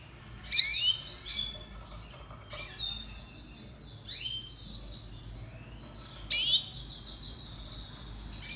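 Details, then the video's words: Song of a red siskin (Spinus cucullatus) used for training: lively high twitters, sharp chips and long slurred whistles in repeated phrases, ending with a buzzy trill, quiet hum beneath. "Canto Pintassilgo venezuelano - Red Siskin"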